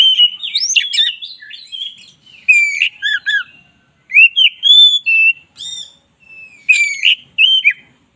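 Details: White-rumped shama of the black-breasted form singing a lively training song: quick whistled phrases, chattering buzzy notes and sweet rising whistles in short bursts separated by brief pauses.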